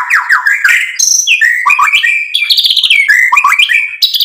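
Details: White-rumped shama in energetic full song, used to provoke rivals: unbroken torrent of loud whistles leaping between high and low pitches, with trills, clicks and rapid chattered phrases.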